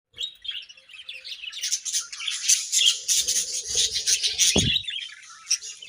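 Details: Budgerigars in breeding season chirping: a dense, busy chatter of high warbling and twittering notes with overlapping calls, plus a brief low thump near the end.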